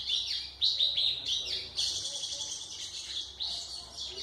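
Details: A white-throated seedeater sings to tutor young birds, delivering quick bursts of twittering notes and sharp whistled slurs, several phrases running together at about two per second, over a faint low hum.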